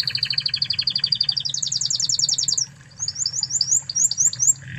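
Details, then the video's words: Spanish Timbrado canary, a master recording for training canaries, delivering a rapid rolling trill that jumps higher partway, a brief pause, then a quick series of light rising chirps. "Masteran Kenari Spanish Timbrado Ori Spanyol"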